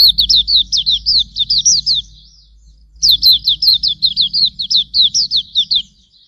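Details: Hume's white-eye song recorded for tutoring cage birds: two rapid volleys of high, downward-slurred notes, about a dozen each, separated by a one-second pause.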